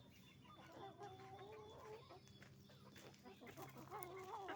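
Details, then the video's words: Roosters and hens calling at a chicken farm: wavering drawn-out calls and rapid clucks, roughly three per second, layered over a steady mechanical hum with a thin high whine. "the sound of a chicken farm, roosters and hens making noise"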